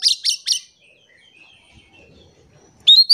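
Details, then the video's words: Oriental magpie-robin used as a singing lure: three quick sharp chirps, a stretch of faint twittering, then an abrupt loud rising whistle at the end. "PANCINGAN KACER GACOR"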